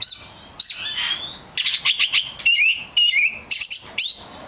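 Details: Black magpie robin, a very rare bird, sings drawn-out whistles followed by shorter slurred notes and brisk chips, with phrases separated by brief silences.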